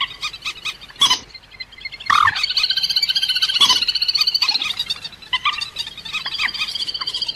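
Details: Rail calling as a trapping lure: fast, steady pulsed croaking notes in long runs at about three per second, broken by sharp louder bursts, with overlapping callers giving a chorus-like texture.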